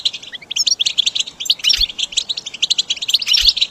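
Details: A goldfinch sings for caged-bird training, giving a jumble of rapid high chirps, tinkling notes and short twitters with barely a break, plus a couple of faint low taps.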